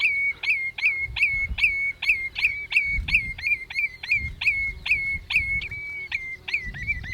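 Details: Rapid, insistent run of sharp, high piping notes from a Common redshank, roughly three each second for seven seconds, with faint low background rumble; recorded 27 May 2018 at 07:10 in Ochsenmoor, Hüde, with a Panasonic Lumix GH5.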